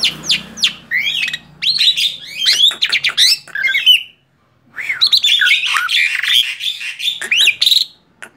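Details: Tame male Black-winged starling giving a lively song of harsh squawks, whistled slides and chattering notes in two long bursts separated by a brief silence.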